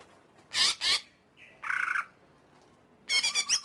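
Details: Greater green leafbird song: two harsh broadband bursts, a short buzzy rattling phrase, then a quick run of scratchy chattering notes, with quiet gaps between.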